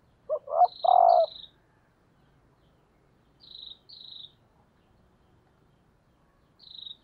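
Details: Female spotted dove, a decoy calling to stimulate males, gives two short coos and a long low coo, followed by scattered pairs of thin, high, descending chirps from another creature in an otherwise quiet setting.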